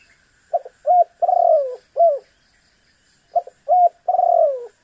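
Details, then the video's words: Spotted dove calling, used to make a rival bird respond. Two phrases, each of two clipped low coos, a long rolling coo that slides downward, and a final short coo, separated by a quiet gap of about a second. "MEMAKSA LAWAN AGAR BUNYI_SUARA BURUNG TEKUKUR GACOR"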